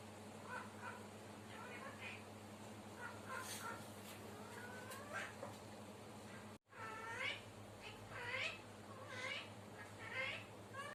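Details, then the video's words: Talking parrot in Sri Lanka counting and singing, giving warbling, rising and falling speech-like phrases in short bursts, with a break partway, over a steady low indoor hum. "Talking parrot in sri lanaka|ගණන් කරන සින්දු කියන ගිරවා"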